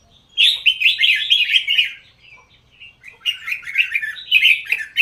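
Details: Red-whiskered bulbul raised for singing competitions, pouring out a rapid, rolling string of bright whistled notes, briefly softening, then launching a second energetic warbled run; quiet room background.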